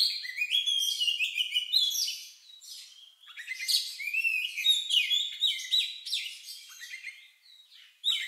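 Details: Oriental magpie-robin delivering a strange-sounding song meant to provoke other birds into singing: a dense, fast stream of sharp chirps, trills and whistled slurs, softening briefly twice before a final loud burst.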